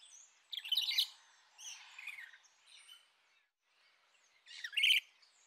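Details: Rainbow lorikeets squawking at moderate distance: a rough screech, softer buzzy notes, a pause, then a final sharp rasping call.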